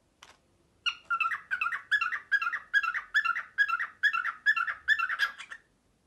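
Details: Male pet cockatiel copying the noise of a printer at dawn, a quick regular run of about twelve buzzy, chirping note clusters, roughly two and a half per second, starting after a brief pause and stopping abruptly.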